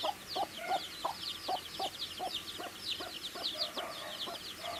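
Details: Baby chicks eating food, peeping in rapid high chirps about three per second, with lower tapping sounds roughly every third of a second beneath them.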